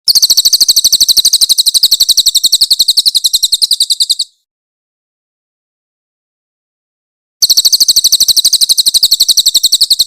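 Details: Grey-headed canary-flycatcher (cililin) in full song, a master recording with harsh 'tembakan' bursts for training magpie-robins: a rapid, evenly pulsed run of high, sharp chirps lasting about four seconds, a pause of silence, then another burst.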